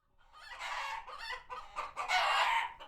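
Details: Flock of chickens at a farm sanctuary barnyard, alert and retreating to their coops after a hawk was spotted nearby; harsh, raspy clucks and squawks swell into overlapping bursts, loudest in a long excited outburst near the end.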